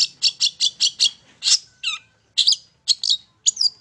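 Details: Long-tailed shrike song played as a lure to provoke other shrikes to sing: six quick, evenly spaced harsh buzzy notes, then varied scratchy chattering phrases with a brief lower whistle in between. No other clear sounds.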